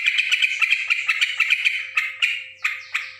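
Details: Yellow-vented bulbul giving a fast series of crisp chirps that slows in the last second into a few separate, sharper, upswept notes.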